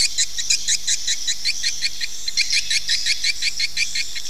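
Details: Swiftlet call used as a lure sound to attract swiftlets to nest quickly: high, sharp chirps in a steady pulsing series, roughly three per second, over a faint low hum.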